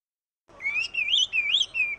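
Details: Oriental magpie-robin (kacer), a songbird and fighting bird kept by Indonesian bird lovers, black and white plumage, giving a whistled, wavering phrase that rises and falls between notes, sung in three bursts after a short silence.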